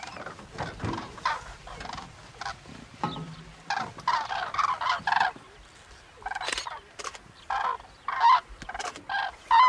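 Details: Wintering flock of common cranes in Gujarat, India, in a loud chorus of harsh, rolling bugles, many birds calling over one another in irregular bursts about every second, with a few clearer trumpet notes near the end.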